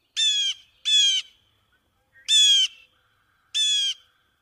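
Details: Blue Jay in Brooklyn's Prospect Park, New York City, a large wooded park where it nests, forages and roosts in trees, gives four harsh, nasal jeers, each about a third of a second long, in two pairs with a pause between them.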